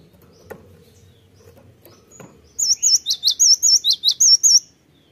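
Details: Gelatik batu, or cinereous tit, singing as a lure to stir other birds into song: a few soft taps, then around ten piercing, high whistled notes in alternating swooping and sharply rising pairs, fast and evenly spaced.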